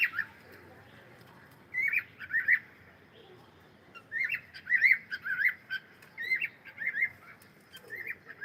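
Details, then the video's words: Cockatiel singing: bursts of short warbled whistles in quick runs, roughly two per second, pausing briefly before a longer chattering phrase that continues to the end. "cute Cockatiel sound and singing"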